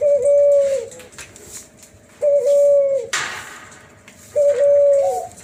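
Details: Spotted dove x tangerine collared dove F1 hybrid known as Cuhu Kelantan, cooing in its 'suling' flute style: three smooth, steady whistled notes near one pitch, each ending with a slight drop, about two seconds apart, one sharp knock midway.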